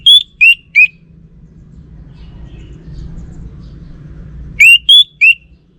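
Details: Orange-headed thrush from North Bali singing in short bursts: three quick clear whistled notes, each slurring downward, then a pause of several seconds with only low background hum before another matching three-note phrase.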